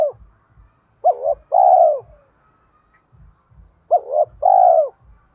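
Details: A spotted dove kept as a lure, singing in the 'thổ bầu' voice style to stir wild doves into calling. Two low cooing phrases about three seconds apart, each a short hooked note followed by a longer throbbing coo.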